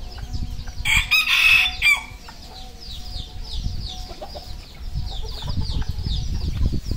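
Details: Red junglefowl kept on a farm in Cambodia: one loud, harsh crow lasting about a second, then a steady backdrop of many high, descending chirps and low clucking with scattered knocks.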